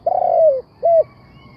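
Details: Spotted dove kept as a trapping decoy, cooing: one long, throaty, gently falling coo followed by a brief pause and a short, even coo, low-pitched and mellow, over a faint background hum.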